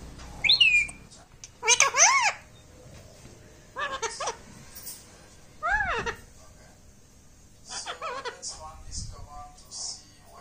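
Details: Indoor talking parrot uttering a series of arched, harmonic, voice-like calls spaced about two seconds apart, some brief and squeaky, against quiet room background.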